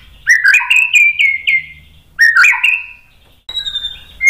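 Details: Provoking lure song of a white-rumped shama: two matching phrases of rising slurs and clear sustained whistles, then a high thin whistle and a bright closing note.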